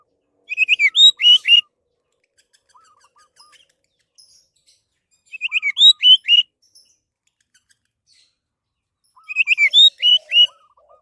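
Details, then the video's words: Orange-headed thrush song, a lure recording meant to set other birds singing: three loud bursts of rapid, rich whistled notes, each about a second long, with soft low piping notes between them. "SUARA BURUNG ANIS MERAH PALING TOKCER"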